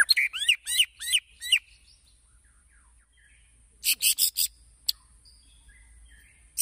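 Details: Lure song of a white-rumped shama meant to provoke other birds into singing: several upward-sweeping whistles, a quiet gap, then a fast cluster of harsh, high chattering notes and one last sharp note.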